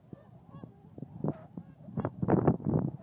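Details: Northern shovelers at Leola Lake, McPherson County, South Dakota, on 16 March 2014: low, hoarse clucking notes in short, irregular bursts, swelling into a denser rush of overlapping nasal calls near the end.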